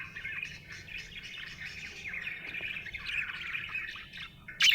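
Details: Happy budgerigar warbling steadily, a busy stream of chirps, chatter and soft buzzy notes that swells toward the middle, ending in a sudden harsh loud squawk; quiet low hum behind.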